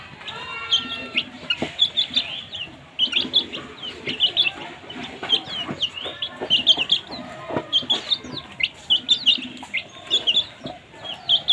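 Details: Domestic baby chicks peep while eating, with kittens walking among them; a steady stream of short high downward chirps, often in quick pairs, carries on with faint background noise.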